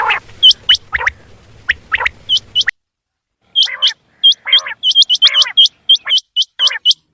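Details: Quail calling for the morning, used in quail hunting: sharp, upswept metallic whistles in quick pairs and triples, with lower harsh buzzy notes from other birds early on and a short silent gap midway.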